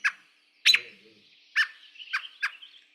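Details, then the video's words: American Robin pup call, a contact call between robins: sharp, clipped pup notes, five in three seconds at uneven spacing, with a faint murmur beneath one note. "The other one is a is a pup call. This is a contact call given between robins."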